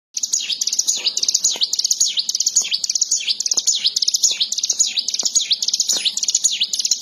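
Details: Bar-winged prinia, locally called ciwah or ciblek sawah, singing in lively gacor style: rapid high-pitched chirps and dipping V-shaped notes run together in a fast continuous stream, with faint background clicks.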